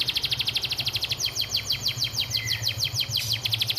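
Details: Canary master vocal, church filler style ('isian gereja'): fast, rhythmic trill of high, slightly buzzy repeated notes gradually slowing into downward slurs, with a steady low hum underneath.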